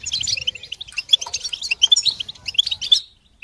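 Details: Several European goldfinches sing together in group twittering intended to help goldfinches sing during moult; quick tinkling notes and short buzzy trills tumble over each other, then stop abruptly near the end.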